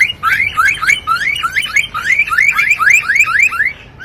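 A lyrebird imitating a car alarm: a rapid run of bright, rising electronic whoops, about three a second, with no other sounds.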